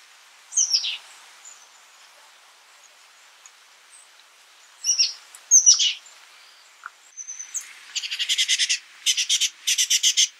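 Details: Oak titmouse (Baeolophus inornatus) gives a few thin, high downslurred notes, then a run of harsh, raspy chatter notes repeated rapidly in bursts at the end.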